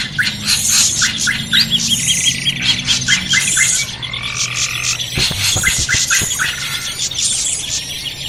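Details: Noisy drongo recording used as a lure to draw birds in for trapping: a dense stream of high chirps, quick slurred whistles and short buzzy notes, with a few longer level whistles, all over a steady low hum.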